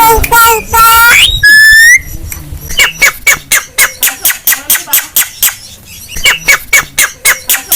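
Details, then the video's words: Javan myna song used to provoke other birds: harsh harmonic squawks and a buzzy rising note open, followed by a fast run of sharp clicking notes, about eighty a minute, with a few squawks near the end. "SUARA BURUNG JALAK KEBO ISTIMEWA || BIKIN BURUNG LAIN EMOSI"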